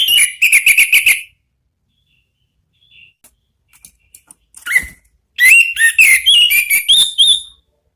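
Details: Lure recording of orange-headed thrush ngeplong song: a rhythmic string of ringing whistles, scattered soft notes and a single downslurred call, then a loud, varied warble of clear whistled phrases.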